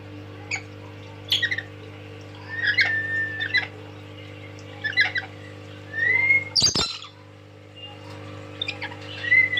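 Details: A tame pet lory sings loudly: short clicking chirps, then drawn-out whistled notes that slide gently upward, broken by one sudden harsh burst, with a constant low hum behind.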